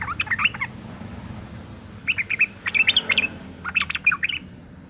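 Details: Female yellow-vented bulbul in breeding condition luring males to sing: three separate bursts of quick, liquid chirping notes, each about half a second to a second long, with quiet gaps between, over a low background hum.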